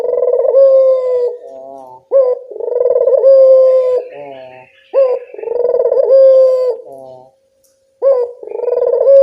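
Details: Repeated coos of a local collared dove, played to make wild birds answer: throaty rolling starts leading into long steady tones, with a brief silent pause near the end and a soft rasp midway.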